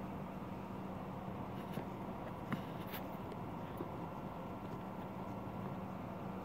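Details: Dense outdoor background noise with a low steady hum and a few faint knocks, no animal voices.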